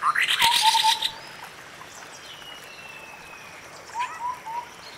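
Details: A White-browed scimitar babbler in forest gives a series of low hollow notes after a loud high-pitched chatter, then repeats a similar piping phrase a few seconds later over soft birdsong.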